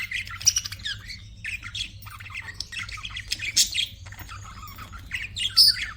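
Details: Pet budgies chatter continuously with harsh squawks, buzzy chirps and quick warbling notes in dense overlapping bursts, several sharp loud peaks, while a faint low hum sits beneath.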